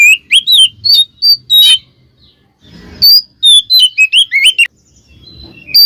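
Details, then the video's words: Oriental magpie-robin song used to provoke other magpie-robins into responding: bright whistled phrases and rapid chattering notes in quick bursts, with a pause midway and faint low rumbling between phrases. "suara burung Kacer kembar bikin Kacer lain kepancing EMOSInya"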